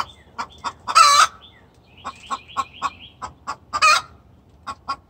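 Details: Hen giving a distress call to the rooster: two loud harsh squawks stand out among a steady run of short, sharp clucks, with faint thin chirping from other small birds behind.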